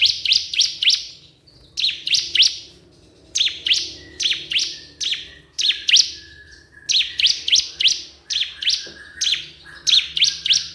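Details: Bar-winged prinia (ciblek kristal) calling a rival, meant to lure other prinias into singing. Rapid runs of three to four piercing, buzzy chips repeat steadily for over ten seconds.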